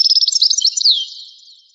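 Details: Brief snatch of European goldfinch song from a rare 1985 recording: a quick stuttering twitter of high notes ending in a long downslurred whistle that fades away.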